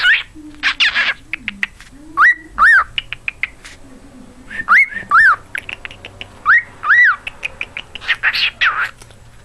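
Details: Whistling from a pet cockatiel (quarrian) that sings Jingle Bells and wolf whistles: clear rising-then-falling whistled notes, several in pairs, mixed with short chirps and faint low humming.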